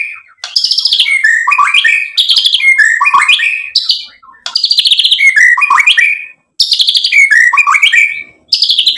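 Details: Energetic white-rumped shama song, repeated bursts of rich whistles mixed with fast chattering trills, each phrase a few seconds long with brief silences between, no background noise.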